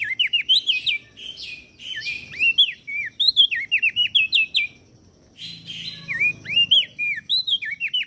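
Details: Common iora and bar-winged prinia song for training cage birds, from Lombok: loud clear whistled phrases of rising and falling notes repeated in quick bursts, a short pause, then more sweeping whistles with faint high chirps above.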